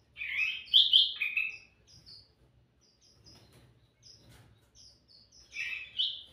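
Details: Lively sooty-headed bulbul song for attracting birds: a burst of rich, warbled notes, a pause filled with short high chips, then another bright slurred phrase.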